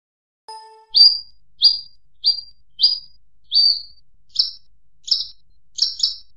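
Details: Bushlark song: a series of short, sharp, buzzy high notes repeated roughly every half to one second, opening with a faint low whistle, becoming doubled and more rapid toward the end, with a quiet background.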